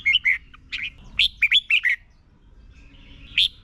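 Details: Red-whiskered bulbul song, Thailand, played so learning birds copy it; two quick chirpy phrases of warbled, sliding notes, then a pause and a single bright note.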